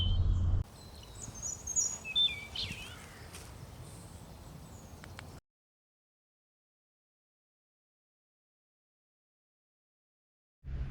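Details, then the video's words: A European robin sings in a forest on 20 March, in early spring, for about five seconds: thin, high, rapidly changing warbled phrases with sliding notes, over soft woodland background noise, then silence. "Moi, je disais donc que j'ai été interrompu par un magnifique petit rouge-gorge qui est en train de chanter."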